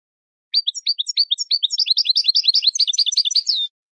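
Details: European goldfinch training song: a continuous three-second run of high, bright twitters, evenly spaced at first, then quickening into a busier tangle of chirps, closing with a drawn-out buzzy note.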